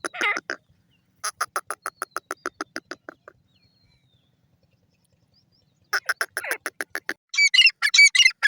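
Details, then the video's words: Grey francolin (teetar) giving a fast run of short, evenly spaced clucking notes, then a pause followed by louder, harsher bursts and a few squeakier high notes at the end. "francolin teetar birds voice"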